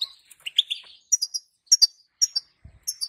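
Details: Female European goldfinch calls, used to make the male sing: a few lower buzzy slurred notes open, followed by regular high double chirps and a brief low thud.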